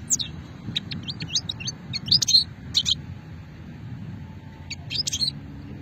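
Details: European goldfinch of an old-strain song line, Hammam Guergour, Sétif, 2020, giving scattered high twittering notes and short tinkling phrases with gaps between, against a low background hum.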